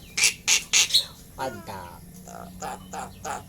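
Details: Tame caged Asian pied starling, a pet that mimics human words, giving three loud harsh bursts followed by softer harmonic, voice-like phrases and short squeaky notes.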